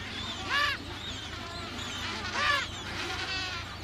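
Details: Adélie penguins nesting on Paulet Island, Antarctica, 1 February 2019, in a colony of some 150,000 pairs; two loud braying squawks about two seconds apart, with softer calls between and a low background rumble.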